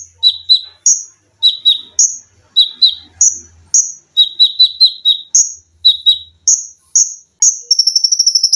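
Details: Olive-backed sunbird in a cage-bird training recording, rattling off close-set doubled and tripled sharp chirps at two pitches, ending in a rapid sewing-machine-like trill of about ten high notes.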